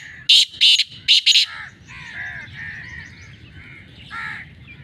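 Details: Black francolin, locally kala titar, calling with four loud, rasping, broadband notes in a rapid group, then softer twittering of other birds in the background.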